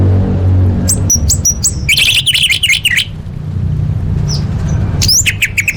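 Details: Orange-headed thrush song played as a lure for caged birds: sharp high chirps, then a tumbling run of buzzy, scratchy notes and thin whistles, with a constant low droning hum.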